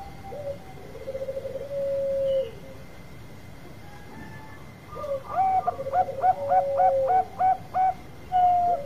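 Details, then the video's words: Bangkok zebra dove with an extended voice, used to stir others into singing: a trilled phrase ending in a long coo, a quiet gap, then a rush of about eight hooked, bouncing coos overlapping a softer trill, closing on a long note. "Perkutut Bangkok Suara Panjang Cocok Buat Pancingan"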